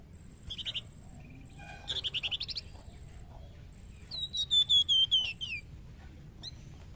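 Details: Young flamboyan in energetic master song for tutoring other birds, Indonesia: a short trill, a fast buzzy rattle, then a clear whistled series of about six notes stepping downward, with a faint constant high tone behind.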